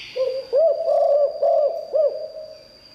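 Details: Spotted dove with a 'liu tan' style song, used to call in wild birds. One phrase of five mellow coos, each bowed and hollow, rising then falling, over a faint steady high whine.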